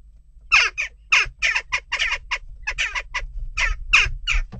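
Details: Loud harsh squawking calls from western jackdaws in unrest at a nest box, rapid and uneven, each note rough and clipped, continuing throughout.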